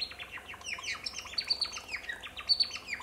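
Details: A male African silverbill (Euodice cantans) sings a soft, rapid twitter of quick downslurred chirps and thin high notes, running on without pause.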